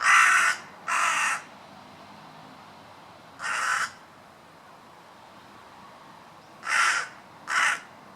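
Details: Crow giving five harsh, raspy caws in two loose pairs and a single: two quick caws, a pause of two seconds, one caw, then another pair near the end, over a quiet background.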